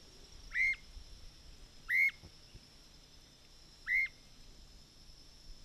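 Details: Streamer-tailed tyrant recorded on 29 November 2008: three short, sharp whistled notes, each with a quick upward and downward sweep, spaced one to two seconds apart over a faint hiss.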